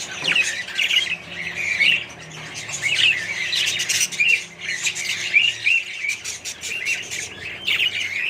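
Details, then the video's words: Chattering budgerigars share an aviary colony with other birds; grating squawks and rapid, rising chirps come in waves, with brief quieter gaps between bursts. "australian budgies parrots & more birds colony"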